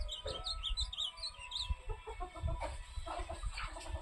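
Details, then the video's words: Ultramarine grosbeak (azulão) singing a quick run of sweet, high warbled notes in the first two seconds, then fading under low rumbling noise, clucking and a man's voice. "Azulão na cantoria"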